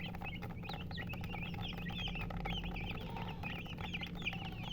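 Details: A group of colored hens chirping: rapid, high, slurred peeps tumbling over one another continuously, set against a steady low mechanical hum.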